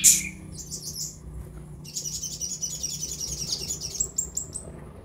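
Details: Kolibri ninja sunbird training recording for fresh caged birds: a loud click opens, then a soft, very high run of rapid twittering and sizzling notes continues to the end.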